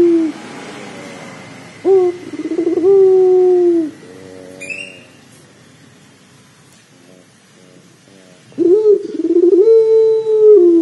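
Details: Puter pelung dove, recorded as a lure to set doves calling: two deep coo phrases with a quiet stretch between, each a long steady low note with a rising start, plus a brief high chirp in the middle.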